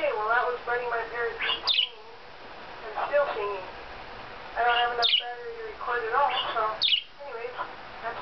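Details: A parakeet chatters in warbled, speech-like phrases broken by three sharp upward squawks about every two to three seconds, talking to another parakeet after hearing a parakeet video played.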